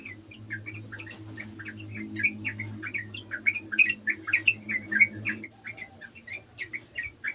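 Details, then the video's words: Sooty-headed bulbul calling along with another bulbul: dense, jerky chirped phrases, several notes each second, with a steady low hum underneath. "TRUCUKAN KEBON ikutan bunyi burung trucukan bahan"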